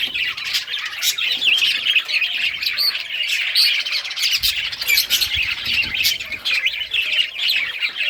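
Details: Budgerigars in rare colours chirp as they play with toys on June 18, 2023; many birds overlap in a lively high twitter with short whistled upslurs and occasional sharp clicks.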